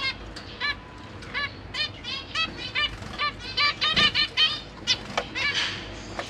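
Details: Zebra finches in a cage with parents and babies: fairly soft nasal calls spaced irregularly, growing louder and denser toward the middle, with a faint clatter of movement.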